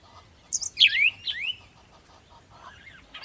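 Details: Birds at sunrise in the morning: bright sweeping chirps in quick succession, then softer warbled notes and a fresh chirp at the end, with faint rhythmic ticking and low hum behind.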